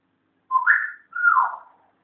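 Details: Pet African grey parrot that whistles a lot and is learning to talk gives a clear two-part whistle, the first note rising sharply, the second sliding gently downward, in a quiet room.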